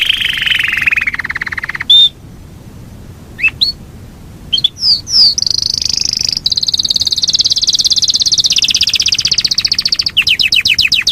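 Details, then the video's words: A Yorkshire canary's long rolling song. A low rattling roll stops, sliding whistles follow, then a long high rolling trill builds, ending in rapid descending notes. "SUARA BURUNG KENARI YOKSHIRE NGEROL PANJANG"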